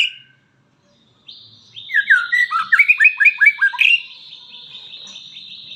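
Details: Lively white-rumped shama song: after a short pause, a fast string of loud downward-slurred whistled notes, then a long, thin, high buzzy chatter that carries on steadily to the end.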